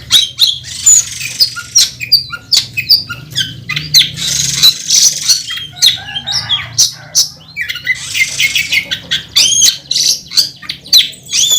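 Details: Oriental magpie-robin singing in fighting mode with a full repertoire of mimicked phrases, a national first-place contest champion: dense, fast bursts of harsh chattering and bright whistled notes high in pitch, sharp clicks between phrases.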